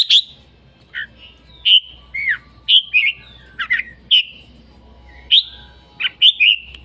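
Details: Red-whiskered bulbul in full voice, giving loud clear whistled phrases, each starting high and dropping, spaced about one second apart with a few lower slurred notes between them over a faint low hum.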